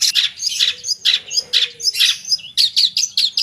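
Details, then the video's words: Cendet, or long-tailed shrike, in 'gacor' song full of mimicked 'isian' phrases: loud harsh high bursts repeated roughly twice a second, interspersed with short squeaky notes. "Suara Burung Cendet Gacor full Isian"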